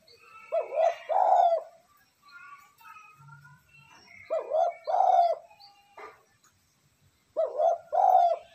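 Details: Spotted dove cooing, a recording for exciting decoy doves. Low, mellow two-part phrases repeat roughly every three and a half seconds, three in all. Light twittering from other birds and a brief low hum fill the gaps.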